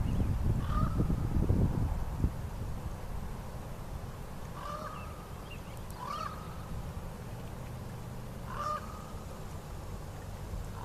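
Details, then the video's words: Common loons at Lake Annette, Jasper National Park, Alberta, Canada: four short, mid-pitched, slightly rising calls a few seconds apart, distant, over a steady low wind rumble and a brief knock early on. "Loon Calls"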